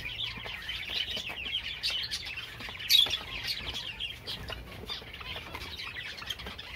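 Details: Java sparrow song: soft, continuous high chirping with one louder sharp note near the third second, plus scattered clicks.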